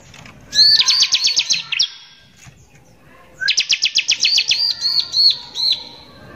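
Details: Harsh lure song of a lively Bar-winged prinia, meant to make other prinias agitated: two separate bursts of rapid, high, buzzy repeated notes, split by a quiet gap of over a second.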